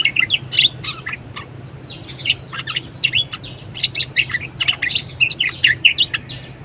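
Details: Budgerigar singing, a track meant to stimulate and teach other birds: rapid scratchy twitters and squeaky notes in bursts, pausing briefly near the second mark before resuming denser, over a faint low hum.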